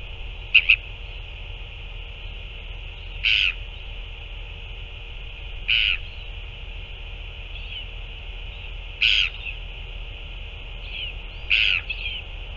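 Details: Northern royal albatross during a feeding of a chick by two adults on 9 February 2024; five or six short harsh calls at irregular two- to three-second intervals over constant hiss.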